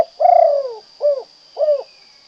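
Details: Spotted dove, known locally as derkuku or tekukur, of the 'kuk 2' song type, giving a soft low coo with a drawn-out first note followed by two short rounded coos, against a faint steady high hum.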